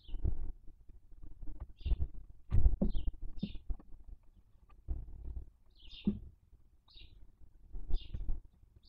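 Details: Barn owls at a nest in Cabañeros National Park, where the female feeds on the body of a dead chick and gives the remains to the chicks; short rasping hisses recur every second or so over loud thumping and tearing noises.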